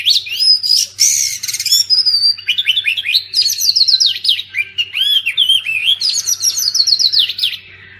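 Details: Oriental magpie-robin (kacer) song, used to prompt silent birds to sing, such as after moulting. It is a rich, varied stream of whistled slurs and buzzy rasping bursts, with rising and falling notes tumbling quickly and a faint low hum underneath.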